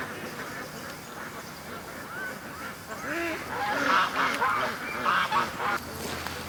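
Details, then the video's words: Flock of domestic ducks being raised for charity, let out of their pen an hour late for a morning rush to the creek; overlapping nasal quacks from many birds building in volume, a dense chattering chorus. "Ducks At The Creek Morning Rush"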